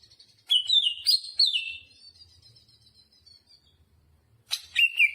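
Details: Greater green leafbird in lively song: a burst of varied whistles and chips, then a thin fading trill, a quiet gap, and a fresh whistled phrase near the end.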